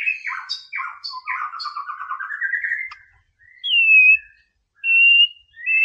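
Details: A white-rumped shama sings, a masteran recording intended to raise a rival's anger: quick chattering, trilled phrases at first, then separate pure whistled notes spaced about a second apart.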